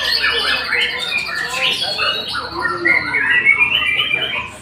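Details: White-rumped shama producing quick, varied song notes about four per second, mixing clear whistles, slurred rising and falling phrases and chattering sounds.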